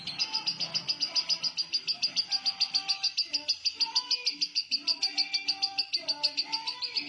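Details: Sustained ngekek trill from a lovebird, konslet style: piercing rapid pulses, evenly spaced and nonstop, with soft lower tones sounding faintly behind.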